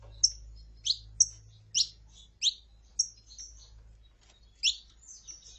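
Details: Saffron finch, female calling and male singing, used to stimulate a male: a run of sharp, high, downslurred chirps about every half second, then a pause and a few softer trailing notes over a low hum.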